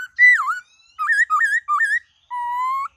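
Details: White-cheeked laughingthrush singing a varied, multi-voiced forest-style song: a loud looping whistle, then three quick rising-falling whistled notes, and a long, steady, slightly rising whistle, all clear and pure in a quiet room.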